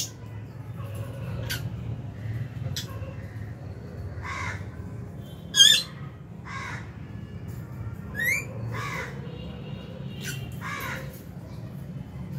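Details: Lovebirds in an aviary colony, including albino, Fisher's and lutino birds, with budgies at meal time in January 2023: harsh squawking chirps repeated every second or so, one sharp loud call midway, over a steady low background hum.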